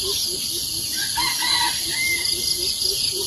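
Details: Red junglefowl in forest, heard among other birds where peafowl feed on food set out by staff; a short rooster-like crow with a few mid-pitched phrases over a rhythmic series of low hooting notes and a constant high insect drone.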